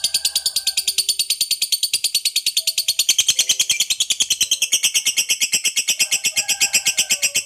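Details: Long ngekek from a fighter lovebird, played to provoke other lovebirds: dense, rapid, shrill chattering repeated without pause for several seconds, slightly rising partway through, with faint lower clicks beneath.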